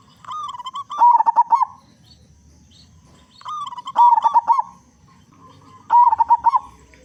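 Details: Local zebra dove, loud-voiced, used as a lure to get other zebra doves singing: three loud phrases, roughly every two and a half seconds, each a soft lead-in note run ending in fast bubbling, stuttered coos.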